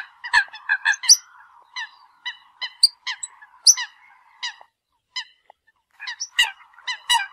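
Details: Eurasian coots calling the flock with bursts of short nasal honks and a few high squeaky notes. A steady droning hum runs underneath, and there are quiet gaps between the bursts.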